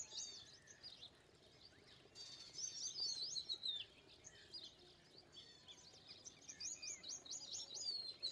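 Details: Bursts of sharp, high chirps and twittering whistles from Indian pied myna, with loud and quiet stretches alternating over a hissy outdoor background.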